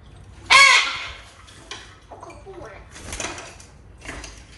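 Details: Two-year-old captive grey parrot, startled by a companion blue-fronted amazon, gives a loud harsh squawk followed by quieter mimicked speech-like syllables and scattered rasping calls.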